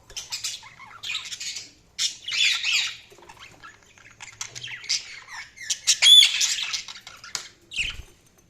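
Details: Budgerigars chattering in busy, buzzy bursts separated by brief pauses, with rapid squeaks and a sharp whistled note around six seconds, the warble continuing unevenly to the end.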